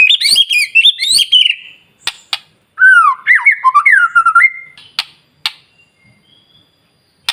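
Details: White-rumped shama, singing to provoke rival shamas, gives high warbled whistles, then a lower run of swooping looped notes ending on a flat whistle, followed by scattered clicks and near silence.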